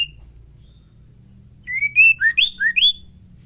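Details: A female white-rumped shama (murai batu) sings to get males singing. After near silence, one quick phrase of about six bright whistled notes rises, falls and rises again.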